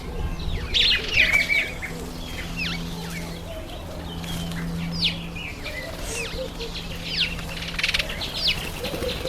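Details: Masked weaver in breeding season, September to October, transformed into breeding plumage; a busy chatter of short buzzy and swept chirps between two and five kilowatts, repeated rapidly with several birds overlapping and a low steady hum beneath.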